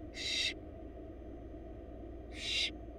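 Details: Two loud, breathy hissing screeches from wild barn owl chicks begging as their mother feeds them in a Florida nest box, separated by about two seconds of quiet low rumble.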